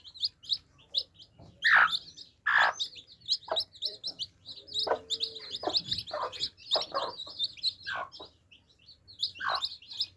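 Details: A flock of baby chicks quenching their thirst: shrill, steady peeping runs through the recording, broken by louder knocking taps every second or so.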